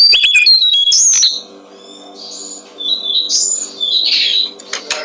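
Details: Brown-streaked flycatcher song, played as a tutor for songbirds: a quick burst of sharp, high chirps and whistles, a short quiet gap, then softer warbled and slurred high notes over a constant faint hum.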